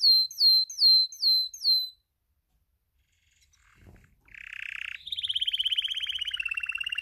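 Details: Male Spanish timbrado canary in breeding condition gives six down-swooping whistles at a steady pace, falls silent briefly, then resumes with a harsh burst and a rapid, slightly descending rolling trill.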